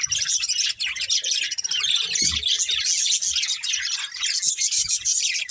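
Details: A breeding pair of budgerigars chatters without pause, a steady wash of fast, scratchy, twittering chirps with a few low knocks underneath.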